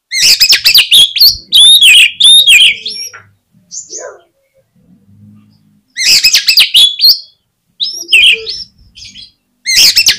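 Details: Oriental magpie-robin singing to trigger singing in rivals: energetic phrases of mixed clear whistles and harsh chatter, repeated in bursts with quieter scattered notes between.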